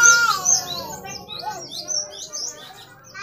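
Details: Great tit song for prompting caged birds to sing: an opening loud note with a clear lower whistle, followed by a rapid run of high thin downslurred notes and soft chattering.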